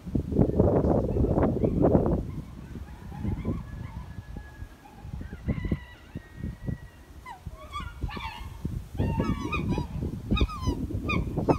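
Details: Black Trumpeter Swans talking to nearby New Guinea Singing Dogs, kept animals: after two seconds of low rumbling handling noise come bursts of short, nasal, trumpeting honks with rich overtones, rising and bending in quick clusters.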